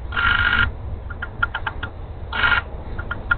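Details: Bald eagle eaglets at a nest after a fish feeding, crops full; two long harsh high squeals separated by quick chittering piping notes, with constant low rumble behind.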